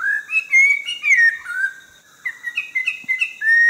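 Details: Orange-breasted laughingthrush, endemic to the Langbian Plateau in southern Vietnam. Fluid, mellow whistles run in quick succession, with level and downslurred notes, a brief lull near the middle, then a further string of bright whistles.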